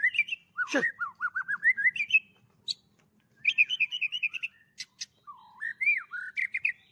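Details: Stimulated captive white-rumped shama of Medan stock, flicking its tail while singing a rich repertoire filled with other birds' phrases: trilled series of rising whistles, sharp clicks, a dipping slurred note and fast chatter, with brief pauses.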